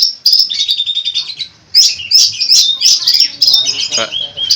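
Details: Long-tailed shrike (cendet) singing vigorously, full of unusual mimicked fill-in phrases: a rapid, varied stream of high scratchy chirps, whistled notes and buzzy trills in dense bursts, broken by one short pause, with no other clear sounds.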